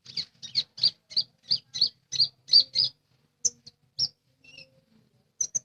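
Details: Lesser green leafbird singing: a fast run of about ten evenly spaced, high chirping notes, then a pause broken by a few scattered sharp notes and a short thin whistle.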